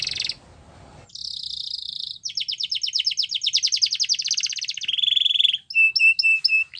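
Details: Champion canary training song with a buzzy trill, a long fast rolling run, a steady whistled tone, then short clipped repeated notes, after a faint noisy start.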